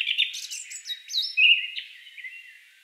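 Song Thrush singing a quick run of bright, varied notes: whistles, sharp rising slurs and a thin trill that fades away, with no other sounds.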